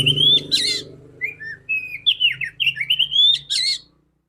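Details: Female Oriental magpie-robin (kacer) singing, used to stimulate males. Brief run of rising whistles, short slurred notes and a sharp burst, over a steady low mechanical hum.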